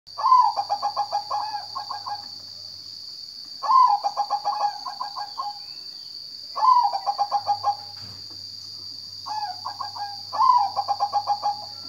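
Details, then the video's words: Zebra dove singing: four phrases, each opening with a bright higher note that drops into a quick run of soft, bubbling cooing pulses, repeated about every three and a half seconds over a steady high-pitched whine. "Kicau burung perkutut"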